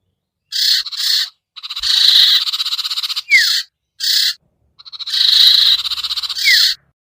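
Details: Common iora (sirtu) call for luring reluctant birds down: harsh, grating buzzy bursts of varied length, with two brief falling whistled slurs between them.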